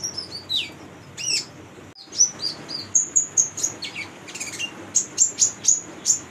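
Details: Female brown-throated sunbird singing for training young birds; descending slurred whistles and doubled chirps at first, then a steady series of sharp high ticks about five per second.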